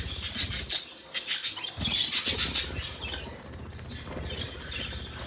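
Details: Budgerigars kept as pets give a quick run of high, scratchy chirps and squeaks, then softer warbling chatter, over a low background rumble.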